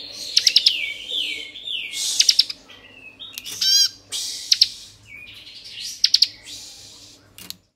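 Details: Bar-winged prinia of the 'kristal' type in variable 'ngebren' song to arouse other prinias: wavering whistled slurs punctuated by short clusters of sharp ticks, somewhat quieter, over low background noise.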